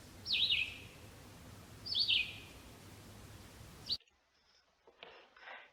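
Red-eyed Vireo singing short slurred whistled phrases about every one and a half seconds, each a quick run of a few notes, with pauses between; the recording ends abruptly.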